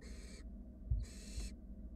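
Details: Hissing begging from wild barn owl nestlings in a nest box as one sibling takes its time swallowing a rat; two broad rasping screeches separated by a short pause, with faint thumps of movement.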